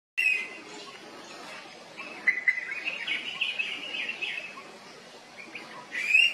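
Orange-headed thrush singing: bright whistled phrases open and close the passage, with a softer run of sweet warbling notes in between.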